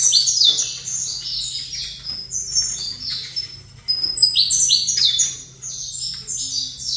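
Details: Two phrases of bright, hurried saffron finch song from a bird set facing a second male. Each is a cascade of stepped, falling whistles and chirps, with a brief gap between them and a constant low hum behind.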